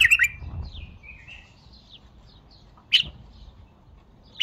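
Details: Bulbul with a brief rich double note, soft fading whistles, then isolated sharp chirps after a pause, against faint low background rumble.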